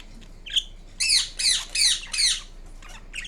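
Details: A pet green Indian ringneck parrot lets out one short chirp, then four loud grating screeches in quick succession, followed by softer faint chirps in a quiet room.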